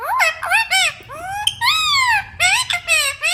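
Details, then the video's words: Green parrot giving a continuous run of bright, harmonic, arched and swooping notes. The phrases sound almost speech-like, with brief pauses between them and a faint low hum underneath. "Green Parrot Talking Natural Sounds"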